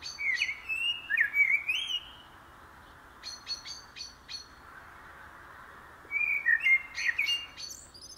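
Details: Common blackbird, locally called karatavuk, delivering fluty, wavering warbles at the start and again after a pause, interspersed with clusters of sharp, high repeated chirps.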